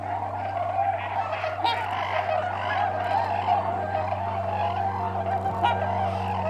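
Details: About four or five trumpeter swans that landed close by give low, nasal, horn-like honks overlapping in a steady chorus, with tundra swans calling in the background, over a constant low hum.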